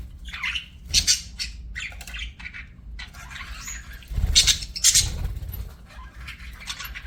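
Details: Pet budgerigars singing and chirping in scattered bursts of harsh, buzzy chatter and sharp squeaks, broken by pauses, with some low thumps and a steady background hum.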